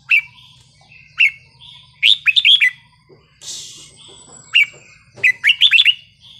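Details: Red-whiskered bulbul forest-style song: lively warbled whistled phrases in bursts every second or so, bright and slurred, with a brief rustling noise and a high thin tone in the middle.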